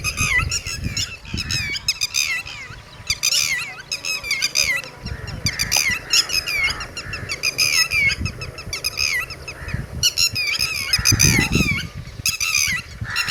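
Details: Red-wattled lapwing near its chicks, a long run of loud piercing notes repeated rapidly in clustered bursts, almost continuous over thirteen seconds, with some low background rumble.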